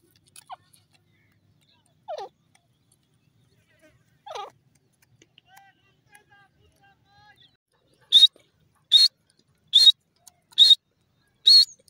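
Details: Grey francolin, known locally as teetar, calling in the morning: a few faint downslurred notes early on, then a run of five loud, sharp, high clipped notes spaced nearly a second apart.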